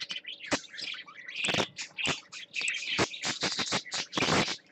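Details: A pet parakeet on swings, filmed 20 December 2014, chatters in quick, scratchy chirps and warbles, broken by sharp broadband clicks and rattles, likely from the swinging perch or a toy.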